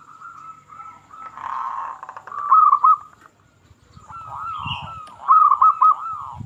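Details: Local zebra dove singing to rouse other zebra doves: a drawn-out murmuring coo followed by fast rolling trills, over a faint low rumble and some scattered background noise.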